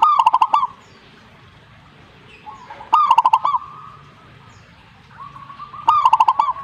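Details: Zebra dove answering in song, three times in under seven seconds. Each phrase opens with a rising coo and rolls into a fast train of five or six mellow, throaty pulses. Softer cooing leads into the later phrases.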